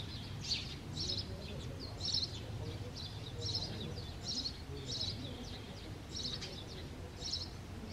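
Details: House sparrows mating at their clay nest in March 2022, with the male chirping at the nest site. Short high chirps recur in an irregular series over low rumbling background noise.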